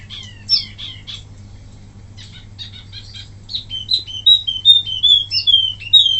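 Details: Wambi song for training other birds, starting with scattered high chips, then building into loud, rapidly repeated whistled slurs at a quick, fairly steady pace, with a faint low hum.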